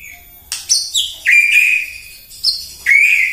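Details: White-rumped shama in the morning, song used to provoke other birds: sharp clipped notes leading into long, bright whistles, repeated in two phrases.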